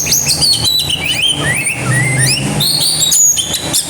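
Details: Oriental magpie-robin in full aggressive song with mimicked phrases, a dense run of bright whistles, sweeping slurs and chirps, continuous throughout; low engine rumble underneath.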